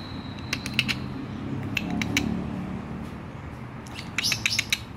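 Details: Male Bali myna with a leg ring and a spiky crest, kept caged, in full lively song rich in varied fill-in phrases; sharp clicking notes and short bright chips in scattered bursts, a dense flurry near the end, over a low steady hum.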